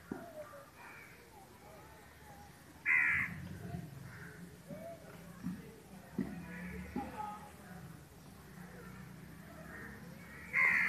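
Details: A Pekin duck, one of a couple, gives two loud, harsh, nasal quacks about eight seconds apart over a low murmur of background voices.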